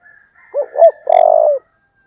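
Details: Spotted dove in the thổ voice style, excited and fired up, gives a clear low cooing phrase: two short rounded coos followed by a longer, slightly vibrating drawn-out coo.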